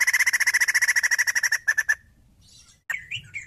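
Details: Fast evenly spaced pulsed notes from a female white-crested laughingthrush, slowing and stopping, then a quieter wavering squeaky phrase.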